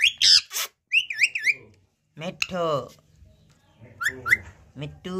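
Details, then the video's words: Pet talking parrot: a loud squawk, a quick wavering whistle, then a speech-like, harmonic-rich mimicked phrase, followed by more short whistled notes. "Parrot Talking video || Talking parrot || Batooni Tota"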